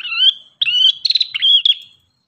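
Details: Vigorous ashy tailorbird song as a continuous string of high whistles mixed with buzzy trilled notes, each phrase slurring up and breaking off abruptly after two seconds.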